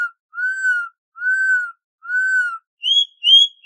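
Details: Brazilian Campo troupial giving the canto clássico dobrado style: three long, mellow, arched whistles at a steady pace, followed by two higher, brighter whistled notes.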